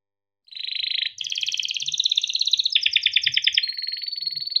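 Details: Caged male yellow canary in Indonesia delivering a long rolled tutor song: a buzzy trill, then a run of rapid trills changing pitch step by step, ending on a high level whistle, with faint low background noise.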